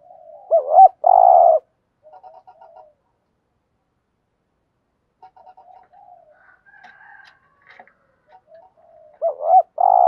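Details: ["Spotted dove cooing in the decoy 'thúc gù' style for luring wild doves: one bouncing-then-sustained buzzy phrase, a long near-silent stretch of faint scattered notes, then the phrase begins again."]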